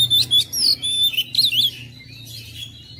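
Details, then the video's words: Oriental magpie-robin phrases to provoke mute, lazy birds: loud, pure whistles and fast slurred notes in the first two seconds, then quieter, with a low background hum throughout. "KICAUAN KACER MENGOYAK KACER BISU MALAS BUNYI JADI NGOTOT GACOR"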